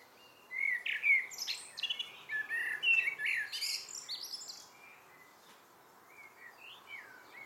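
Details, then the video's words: Common blackbird singing in the evening: low fluting warbled phrases, then a high twittering, squeaky flourish, followed by a quieter second phrase. "Abendgruß einer Amsel"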